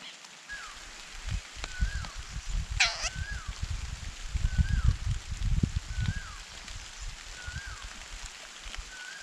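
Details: A black cuckoo chick, raised as a parasite in a shrike's nest, begs for food with short, thin, down-slurred notes about once a second and one louder squealing burst, over low rumbling background noise.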